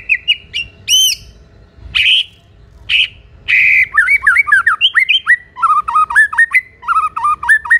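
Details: White-rumped shama in full, vigorous song meant to provoke other shamas into answering and raging: harsh rasping bursts at the start, then a fast run of varied whistled and chattering notes rising and falling.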